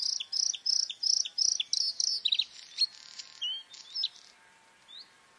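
A Bluethroat sings a fast run of high, ringing, bell-like notes, about six in quick succession, then breaks into varied twangy, whistled phrases.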